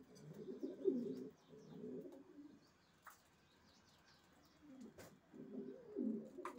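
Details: Short bursts of soft, low cooing from racing pigeons separated by quiet gaps, with faint high chirps and a couple of clicks.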